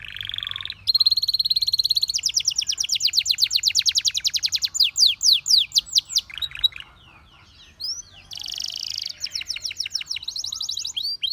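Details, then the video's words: Canary song of fast high trills and repeated swept notes, the phrases shifting every second or two, with a brief quiet pause before a rattling trill resumes. "Canary Singing Bird Sounds"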